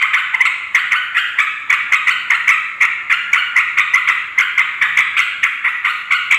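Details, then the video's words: Wild-calling yellow-vented bulbul, noisy chattering used to lure wild females and males: a steady run of short, bright notes repeated about five to six times per second, evenly spaced throughout, with no other clear sounds. "suara trucukan ribut || ngoceh memanggil terucuk liar"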